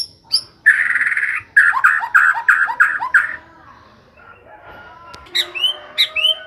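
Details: White-rumped shama, said to sing day and night without stopping, gives a buzzy drawn-out note and a rapid string of harsh repeated notes, followed by a quiet stretch and several thin high whistled slurs.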